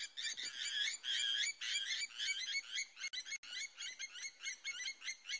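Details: Blacksmith lapwings near a small watering hole at sunrise in Djuma Private Game Reserve, Sabi Sand, greater Kruger, South Africa, 3 March 2020, give sharp metallic "tink" notes in quick overlapping bursts, almost two a second, from several birds approaching.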